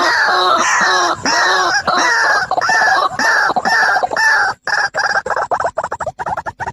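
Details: Male and female white-breasted waterhens calling for bird trapping use: continuous loud, nasal, arching croaks repeated under a second apart, then breaking into quicker choppy notes.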